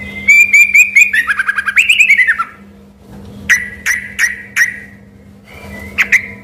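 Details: Yellow-vented bulbul in vigorous song, confused with a white-rumped shama: a rapid rippling run of whistled notes falling in pitch, then four separate sharp bright notes about a third of a second apart, over a low hum.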